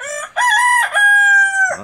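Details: A domestic rooster belonging to the household crows in a garden one morning while endives are being prepared: a loud, harmonic-rich call with a short opening note, then a long steady held note, dropping away at the end.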